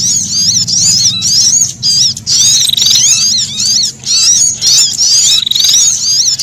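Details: Sunbird combined with a prinia, both frightened and threatened, used to lure wild birds: frantic high zigzag chirps in overlapping bursts, with short buzzy rattling runs and brief pauses, a faint low drone underneath.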